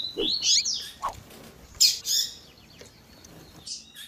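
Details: Double-collared seedeater with female call in tui tui zel zel style: irregular bright rising slurs, scattered sharp chips and lower short notes, rather jumbled and uneven in loudness.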